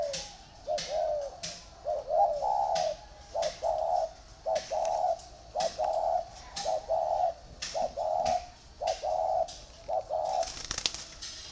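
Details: Spotted dove kept in a cage, alongside a second bird in a bamboo or iron cage, cooing a rapid run of low, soft phrases, with sharp clicks and knocks between notes.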